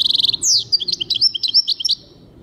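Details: Short excerpt of a European goldfinch singing, 2023: rapid stuttered chips leading into a swooping note and a quick, tinkling sequence of high liquid twitters.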